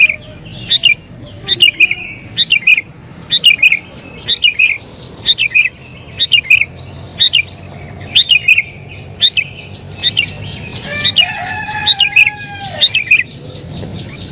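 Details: Sooty-headed bulbul singing excitedly, used as a lure for wild birds; steady run of quick, falling chirpy phrases about once a second, with another bird's fainter calls and a low drawn note late on.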